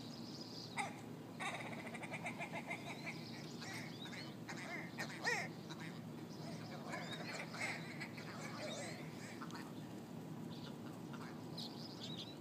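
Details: Large squabbling ptarmigan flock on a street in Yellowknife, Northwest Territories; dense series of harsh clicking rattles and croaking notes in irregular bursts, with a few sharp louder calls, against continuous low background noise.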